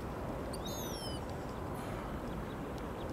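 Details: Western jackdaw (Corvus monedula) at the canal in Tønsberg, Norway, January 2023, gives one short, bright, slightly falling 'chak' call, with a fainter call after it, over a steady low rumble of wind or traffic.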